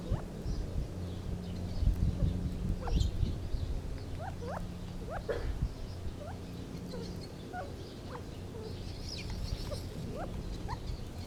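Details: Gambel's quail calling with brief rising squeaky notes, several close together in the middle and scattered elsewhere, over a continuous low rumbling background.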